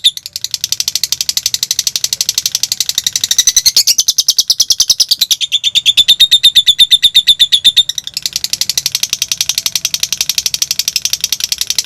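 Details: Konslet song of a lovebird for provoking other birds: a continuous, very rapid buzzing chatter, high and harsh. It briefly narrows into a clearer chirping run midway, then returns to the dense rattling stream.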